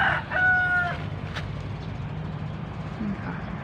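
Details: A rooster crows at a farm in a field of young organic waxy white corn, where the chickens are kept: the drawn-out end of the crow is one steady, level, nasal note of about half a second, then low rumble and a click.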